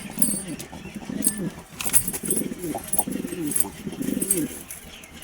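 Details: Pigeon coos from a new pair settling into a colony: deep, burbling rolled phrases repeated steadily, several in quick succession, with a brief sharp clatter midway and light background hiss.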